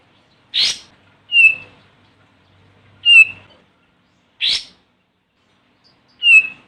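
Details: Olive-winged bulbul calling a rival, used to lure birds: a harsh chack followed by a clear whistled note, pattern repeated, with a third whistle closing, roughly one note per second.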